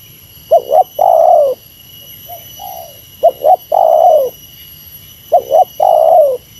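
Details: Spotted dove giving a meratus lure call against a rival. Three phrases, each a fast double coo then a long falling coo, with a softer, more distant coo between the first two. A faint high hum continues throughout.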